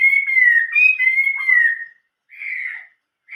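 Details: Chinese hwamei singing in the 'giọng rừng già' (old-forest voice) style: loud, clear whistled phrases that slide gently downward, with a short pause and then two brief rich whistles. No other sounds.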